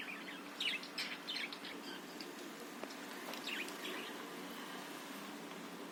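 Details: Chattering budgerigar used to provoke other caged birds into singing; clusters of quick, scratchy chirps and short twittering notes repeat irregularly, loudest near the start, with a low steady hum underneath.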